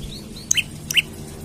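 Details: Olive-backed tailorbird singing vigorously while seeking a rival, used to lure or train birds: two quick, sharp upward-flicking chips less than half a second apart, with a soft low hum behind.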